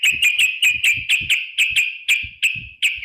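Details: Sooty-headed bulbul, called trucuk, female, in lure recording of 'ropel panjang' style to provoke song: a rapid string of sharp, high whistled notes, some dozen in three seconds, with soft low thuds beneath.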